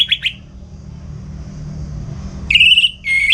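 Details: Caged orange-headed thrush in Singaraja, North Bali, morning song used to tutor other songbirds; two short notes, a long quiet gap, then sharp whistled rattling phrases near the end over faint low hum.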